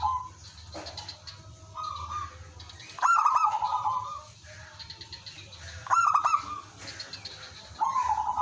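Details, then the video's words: Local zebra dove singing actively, its song used as a lure so other doves reply. Three loud bursts of trilled, slightly buzzy cooing, each opening with sharp clicks, separated by quieter trilled cooing phrases. "suara merbok kampung/perkutut lokal gacor manggung jadi pikat pancingan semua jadi nyaut"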